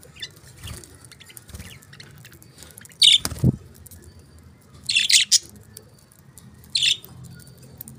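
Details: Budgies chirping: three separate bursts of harsh, scratchy chirps in the upper range, with a low thump midway and quiet room hum between calls.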